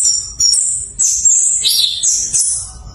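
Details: Orange-headed thrush learning to sing openly, a lure recording for thrushes that stop singing: short bursts of thin, very high whistles and sliding notes with faint low thumping underneath.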